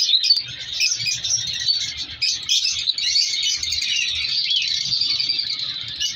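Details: Captive lovebird breeding colony of colour mutations; a harsh, high chattering from many birds swells and dips slightly, a few louder squeaks at the start.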